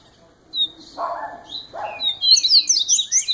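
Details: Double-collared seedeater, a young bird in its first year, sings a fast burst of bright, twittering, high whistled notes rising and falling in quick succession after two short lower rasping sounds.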